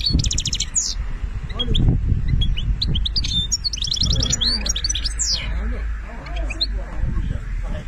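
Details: Benna-style song of a European goldfinch, Algeria: a fast metallic trill opens, then twittering notes, another rattling trill, and scattered chirps over low rumbling noise.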